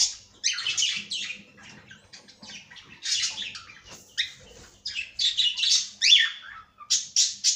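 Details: Cockatiel giving bursts of harsh, high chirps and squawks, with one clear rising whistle near the end, grouped in clusters separated by short quiet gaps.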